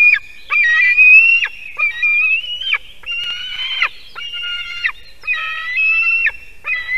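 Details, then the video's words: White-tailed eagle eaglet screaming at its nest atop an old broken spruce in Kurzeme, Durbe Municipality, at 6:04 am on 18 July 2023, as a parent lands with fish. Loud, shrill, harmonic screams, each drawn out about a second, repeat almost continuously. "Jūras ērgļis~Screaming eaglet in the early morning"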